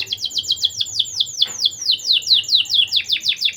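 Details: Lively canary song played as a lure for young canaries: a steady series of sharp downward-sweeping high chirps, roughly two per second, with a low hum underneath.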